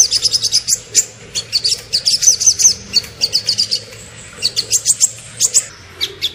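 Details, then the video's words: Small bird on a masteran track delivers quick runs of bright, high staccato notes in short groups, broken by gaps of under a second. "MASTERAN BURUNG KECIL FULL TEMBAKAN VARIASI MEWAH"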